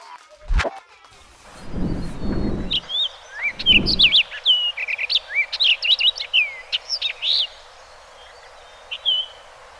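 Orchard Oriole sings a fast, jumbled run of varied whistles and slurred notes lasting about six seconds. A voice and a sharp click briefly overlap the start.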